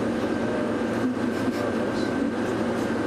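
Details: A steady engine rumble with a constant hum fills the recording, and no animal call stands out.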